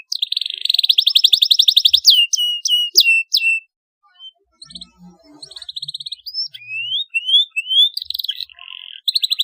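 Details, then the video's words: Canary song used to stimulate young canaries to sing, full of sharp rolling trills: rapid repeated buzzy notes, a series of descending whistled strokes, then scattered chirps, gliding slurs and renewed rolls. "Cuitan Kenari UNTUK Perangsang bunyi Kenari paud, Gacor ngeroll tajam untuk pancingan"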